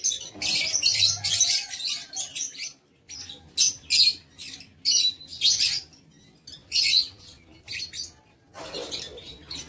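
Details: High, piercing squawks from lovebirds in an aviary on 7 April 2023, coming in choppy clusters of harsh notes with silent breaks, and a soft rustle near the end.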